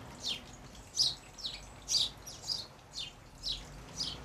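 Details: Goldfinches of a nesting colony feeding at hanging tubes of sunflower hearts in an English country garden, June 2020; loud, sharp high twittering notes, about one a second, some doubled, with faint background hum.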